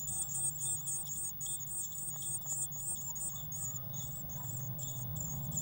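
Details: Thin, very high-pitched chirps from Eurasian blue tits in a nest box, 19 May 2019, feeder stocked with waxworms; short notes repeated rapidly in a near-continuous series over a constant low hum.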